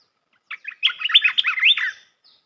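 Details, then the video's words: Red-whiskered bulbul song for training young birds, melodious and pleasant: a clean, rapid, bubbling warble of whistled notes lasting about one and a half seconds. "เสียงนกกรงตาแดงEp.168 เสียงหัดนกลูกเสอ เพลงเพราะ น่าฟัง"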